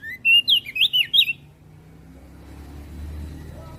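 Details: Javan grey-throated white-eye song, said to set other birds singing: a fast burst of five or six bright slurred whistles in just over a second, then quiet with a low background rumble.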